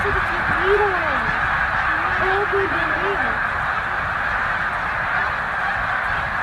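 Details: Snow geese gathered at peak migration at Middle Creek wildlife refuge, about 100,000 birds stopping on the journey north. Several nearer honks rise and fall clearly above the flock's steady, dense background clamor of overlapping calls.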